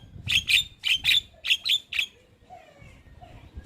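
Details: Lure recording of a Javan myna meant to prompt silent, stressed mynas to sing. Seven loud, harsh chirps come in quick pairs and singles, then fade to near quiet with faint low whistles.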